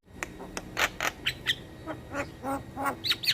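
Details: Javan myna song played to lure mynas and starlings: spaced rasping squawks and short nasal notes, roughly three per second, ending in two higher whistled chirps.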